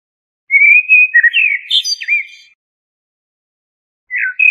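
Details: Single blackbird phrase of mellow whistles climbing into a thin, scratchy twitter, followed by two seconds of silence and the start of another phrase.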